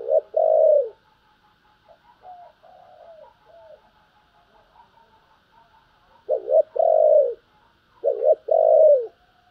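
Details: Repeated urging and calling coos of a spotted dove: a loud short-long phrase, quiet soft cooing, then two more loud phrases, each a brief note followed by a drawn-out falling coo.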